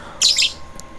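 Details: Pet cockatiel kept with lovebirds at feeding time, giving a single harsh, high chirping squawk of about a quarter second, then a faint short note, indoors.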